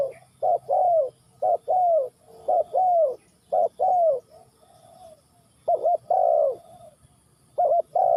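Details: Spotted dove from Ninh Thuận, Vietnam, cooing in paired phrases: a short clipped note followed by a longer, mellow, downward-bending coo, repeated several times with a brief pause midway.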